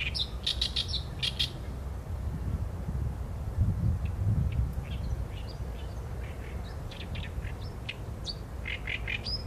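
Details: Song of an Oriental reed warbler: strong, harsh bursts at the start, followed by a long series of scratchy chattering notes and repeated grating syllables, with a low rumble of ambient noise behind.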